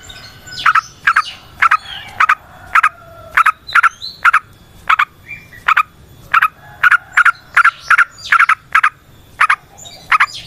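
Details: Yellow-vented bulbul calling in a recording meant to lure and rouse other bulbuls: short, clear, mid-pitched notes repeated steadily about twice a second, sometimes doubled, with faint other chirps in the background.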